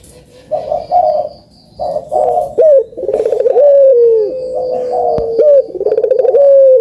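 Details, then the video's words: Spotted dove song played to stir lazy birds into calling: low rolling coos with quick pulsed trills and drawn-out level notes, several overlapping phrases, a faint steady high tone in the background. "COCOK BUAT PANCINGAN BURUNG PUTER YANG MALAS BUNYI"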